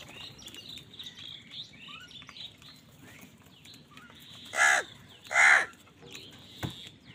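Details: Crows fighting for food: two loud, harsh caws arrive close together in the second half, over a background of thin chirps and twitters from smaller birds.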